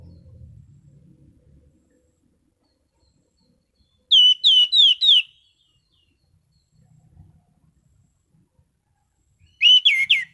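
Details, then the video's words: Clear, relaxed 'ngeplong' song of an orange-sided thrush: two bursts of four quick, downward-slurred whistled notes each, separated by about five seconds of near silence, with faint low rumbling at the start. "Burung Anis Cendana Ngeplong Santai"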